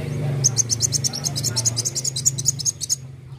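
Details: Kolibri wulung sunbird delivering a continuous, rapid volley of shrill high notes for nearly three seconds in the 'nembak' style, heard over a loud low droning hum.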